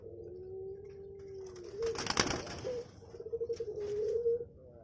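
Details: Captive puter pelong dove on a bird farm giving low, steady hooting coos, then a sharp burst of noise and further wavering coos toward the end.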